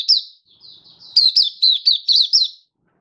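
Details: High-pitched oriental white-eye song from a hobby bird, dated 24 February 2023: one sharp chirp, a faint thin warble, then a rapid string of six bright, down-slurred notes.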